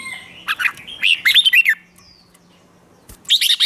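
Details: Red-whiskered bulbul singing competitively: two bursts of lively, slurred whistled notes, rising and falling quickly, separated by a pause with a faint high chirp and a sharp click.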